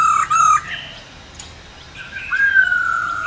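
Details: Female black-throated laughingthrush song used to stir males to sing: a brief loud pair of whistled notes, a quiet stretch, then a wavering whistle that slides up and trails off.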